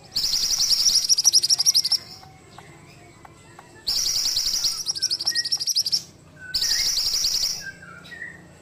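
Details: Ashy tailorbird in lively song for training: three loud, very high, rapidly pulsed bursts of one to two seconds each, separated by pauses with soft whistles from other birds and a constant low hum.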